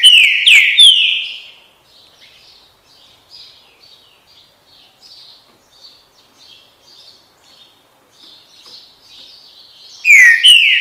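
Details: Green-winged saltator singing bold descending whistled phrases at the start and end, separated by a run of soft, quick twittering notes from smaller birds.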